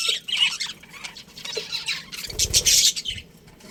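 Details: Budgerigars in a colony with a breeding pair, chattering in bursts of scratchy high chirps and squawks, louder around the middle, with a brief low thump beneath.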